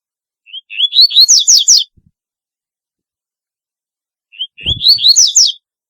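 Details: Double-collared seedeater with a distinctive song: two phrases about four seconds apart, each beginning with soft rising whistles and ending in a burst of rapid, buzzy, falling notes. A faint low thump accompanies the second phrase.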